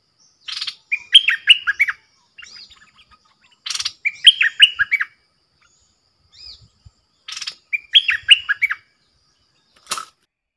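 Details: Bulbul in a decoy cage with wild birds arriving, 13 April 2021: three phrases, each a rasping burst followed by quick, liquid, warbling notes, with soft chips in between and a sharp click at the end.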